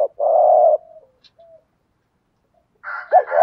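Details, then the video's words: Spotted dove cooing in the gù thúc style for rousing decoy birds: one long steady low coo, a few soft trailing notes, then a brighter, higher rough phrase with a sharp rising note at the end. "thúc gù/ cu gáy thổ pha gù thúc/ tiếng chim cu gáy kích bổi mới"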